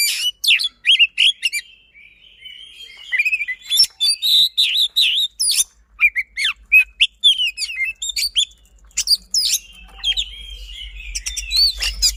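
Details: Kacer, the Oriental magpie-robin, in determined fast 'roll tembak' song: bursts of sharp chirps and whistles, a softer warbling middle section, dense trills again, with a low electrical hum rising toward the end.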